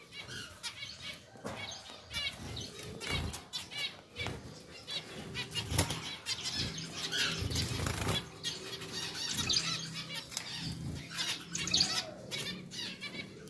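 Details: Pair of pied zebra finches, caged, settling into a new, larger cage without nesting material yet; short nasal, harmonic-rich call notes come in clusters, mixed with wing flutters and clattering cage noises.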